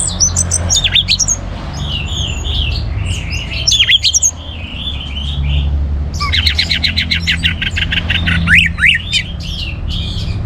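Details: Orange-headed thrush in full song, aimed at stimulating other birds to sing: a continuous stream of varied chattering notes, quick trills and rapid repeated slurred elements, with steady low background noise.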